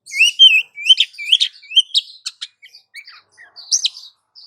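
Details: Oriental magpie-robin female calling a male, delivering rapid rising whistles and slurred chirps followed by scattered clicks and short squeaky notes, clear with a quiet background.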